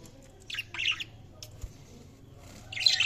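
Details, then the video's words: Budgerigars chirping: a few short harsh bursts at the start, a pause, then a louder scratchy chirp near the end, over a faint low hum indoors. "Budgies Sounds| Budgies Chirping sound"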